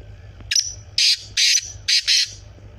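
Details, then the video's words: Black francolin (kala teetar) calling: a loud, harsh, grating phrase of five rasping bursts in under two seconds, the second-to-last pair close together, over a quiet low hum. "Kala teetar voice"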